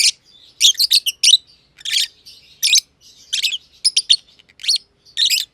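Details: Aviary-kept masked lovebirds, a green personata and a green pied personata that often play together. Piercing scratchy chirps, several close-set triplets, alternate with softer buzzy chatter between louder notes.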